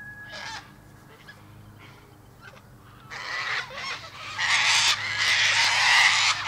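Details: Mostly quiet at first with one faint cockatoo screech, then from about three seconds on a loud, near-continuous harsh screeching builds and keeps going.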